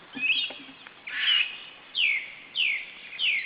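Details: Osprey, a male arriving at the nest with a headless fish, gives loud clear whistled calls, each sliding sharply downward, repeated about every half second after a brief rougher chirp at the start.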